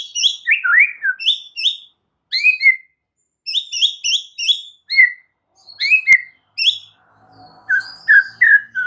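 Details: White-rumped shama song, a training recording for a stressed bird: loud, bright whistled phrases of two to four notes separated by short pauses, some sharp downslurs, ending with lower mellow slurred notes.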